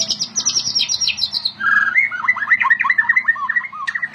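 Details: A caged white-rumped shama sings a high rapid trill, then switches to a lower run of quick repeated whistled chirps, with a faint background hum.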